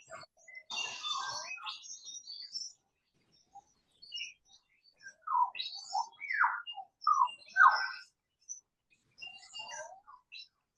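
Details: Lyrebird recorded in a high, misty Australian forest full of lyrebirds, giving a weird gurgling call: bursts of varied warbling, gurgling and swooping notes separated by short silent gaps.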